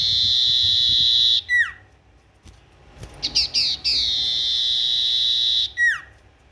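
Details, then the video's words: Tailorbird singing actively, repeating its phrase: a long level high tone and a downward slide, several quick chips rising into another drawn-out whistle, and a closing sliding note. "Burung sirtu gacor"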